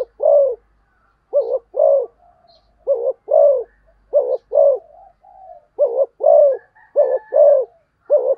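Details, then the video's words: Spotted dove fast cooing: mellow paired coos repeated in quick succession, with soft drawn-out purring notes slipped between some pairs. "cu gáy thúc gù tốc độ"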